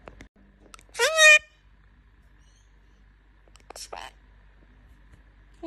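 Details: A talking Indian ringneck parakeet gives a short, harsh, speech-like phrase with a high rasping edge, then a brief second utterance a few seconds later, in an otherwise quiet room.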